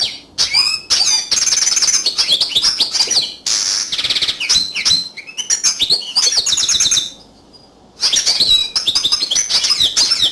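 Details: Yellow canary singing a fast, varied song of high sweet trills, rapid rattling runs and short whistled notes, in bursts separated by brief pauses, with one longer silence near the end before the song resumes.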